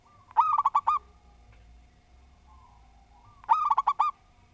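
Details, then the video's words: A local zebra dove in full song gives two quick, rhythmic bursts of clipped, bubbling coos about three seconds apart. Each burst holds five or six notes, with quiet low background rumble. "Perkutut Lokal Gacor Suara Tersusun"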